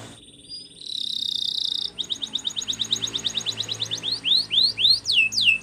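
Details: Belgian canary training song: a rapid buzzy high trill, then a fast series of short clipped notes that slows into loud, downward-slurred whistles repeated about twice a second over a low background hum.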